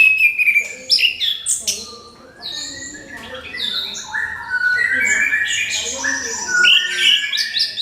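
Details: An orange-headed thrush delivers a crystal-toned lure song to set off other birds: energetic, fast-changing medley of sharp high whistles, buzzy slurs and chattering notes, almost continuous after a short pause.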